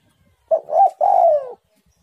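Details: Spotted dove song, bird described as very active: a short coo followed by a rising coo and a long, drawn-out hoarse falling coo.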